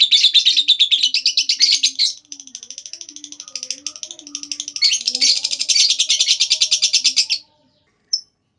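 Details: Lovebird 'ngekek' trill aimed at prompting others to join in: two fast, unbroken runs of grating high notes, a brief softer stretch between them, then one last lone chirp.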